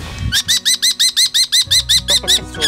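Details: Six common kestrel chicks, just over three weeks old, raised by their father alone and due to fledge next week, give fast, harsh shrill 'kee' notes, about five a second, while being ringed and weighed, with faint voices and handling noise.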